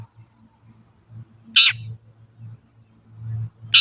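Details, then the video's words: Long-tailed shrike used as a lure for untrained shrikes. Two harsh rasping screeches over a constant low electrical hum. "Suara burung cendet gacor untuk pancingan cendet bahan"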